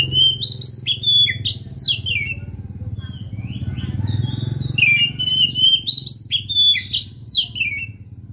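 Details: Lively Oriental magpie-robin song used to stir a quiet bird to sing, a long series of loud, varied whistled phrases with rising and falling sweeps, over a faint low hum.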